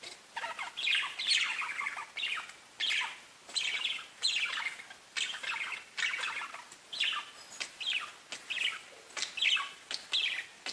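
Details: Parakeets chirping to one another, bursts of rapid buzzy warbles and chirrups about once a second, each phrase a tumbling mix of high scratchy notes.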